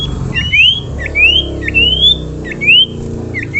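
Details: Common iora calling so that other ioras will join in song: a quick series of five or six bright whistles, each rising sharply, repeated about every half second over a low background hum.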